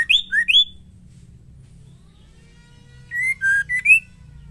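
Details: Female white-rumped shama, whose song is used to provoke male shamas into singing: a quick trio of high rising whistles, then after a pause a lower phrase of steady whistled notes ending in an upward flick; low hum underneath.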